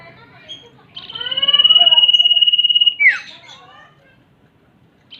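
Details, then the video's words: Combined male and female common iora calls used as a lure: one long level whistle lasting about two seconds, broken off by a steep falling note and soft descending chirps, with faint low background hum. "pancingan burung cipo.kombinasi suara cipo betina dan jantan"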